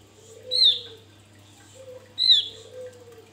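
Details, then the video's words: Wild Javan white-eye, recorded for use as a lure to provoke other birds: two loud, thin, high downslurred notes about two seconds apart, with a softer low drawn-out whistle in between and a steady electrical hum. "Opior jawa buka paruh ngalas Untuk pancingan"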